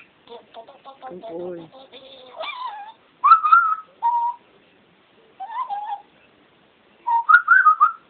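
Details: Pet bird singing at home with its owner: low gurgling chatter first, then bursts of rising and falling whistled notes separated by pauses of about a second.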